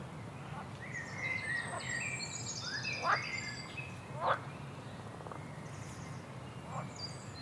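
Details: A singing bird gives quick whistled notes and a few sharp downward clicks, several high twittering phrases mixed in, over a low steady background hum.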